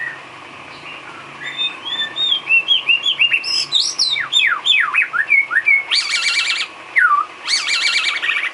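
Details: Filler song of the white-rumped shama for training caged birds: a varied string of whistled slurs rising and falling, broken by two harsh buzzy bursts.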